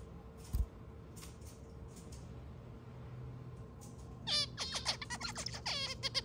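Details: A pet white zebra finch sings a quick burst of nasal, buzzy notes while playing with its owner's hair, after a quiet start with faint rustling.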